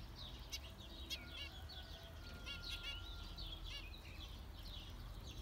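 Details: Zebra finch calls: a few short, harmonic-rich nasal beeps scattered among soft high chirping chatter, over a steady low rumble.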